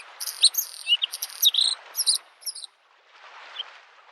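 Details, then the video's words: Bluethroat singing in spring beside a lake: a fast, varied run of sharp metallic notes, trills and high buzzy strokes for about two and a half seconds, then a pause over soft wave-like background noise. "the singing of the bird Varakushki"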